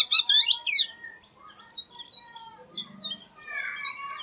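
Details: Oriental magpie-robin delivering an unusual song: an opening burst of rapid high chattering notes, then a run of thin, level and slurred whistles at varied pitches, quieter and rambling, in a still setting.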